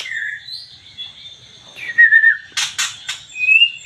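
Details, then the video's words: White-rumped shama from Aceh singing clear, sliding whistled phrases, some rising and some falling, followed by a few loud buzzy, rasping bursts and a final bright whistle. "MURAI BATU GACOR ACEH"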